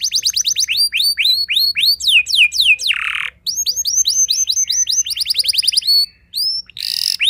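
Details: Canary song used to provoke other canaries into singing: rapid series of repeated downslurred whistled notes changing into new trills, a brief harsh buzzy burst around the three-second mark, then more rolling repeated phrases.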